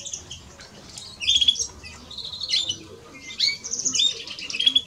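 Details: Male and female European greenfinches singing: after a quiet first second, bright twittered phrases of rapid chirps and short whistled notes come in several bursts.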